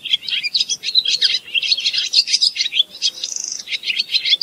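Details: A barn swallow sings a busy run of quick, high chirps and twitters, with a short level buzzy note partway through.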